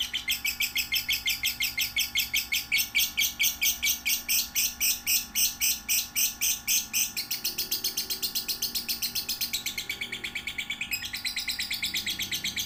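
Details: Young lovebird one to three months old, kept for training other lovebirds, giving a fast run of shrill high chirps, about two each second, steady and continuous, with a faint electrical hum behind.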